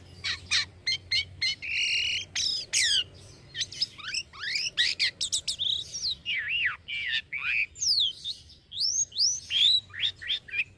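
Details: Kept black-winged myna singing energetically: a fast, varied run of loud whistles, sharp chips, rising and falling slurs and wavering notes, nearly continuous throughout.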